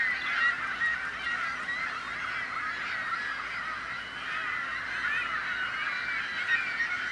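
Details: Many gulls squawking at once to scare off prospective predators, human or bird; a steady rough chorus with individual cries surfacing now and then, slightly louder toward the end.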